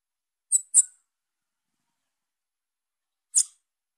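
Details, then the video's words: Calling young female Bananaquit: a quick double high-pitched squeak, then one more thin note after a pause of nearly three seconds. "FÊMEA DE SIBITE NOVINHA CHAMANDO"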